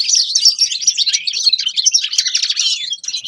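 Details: Grey-crowned goldfinch singing: a dense, fast twittering run of bright, high chirps and trills that continues without pause across the few seconds.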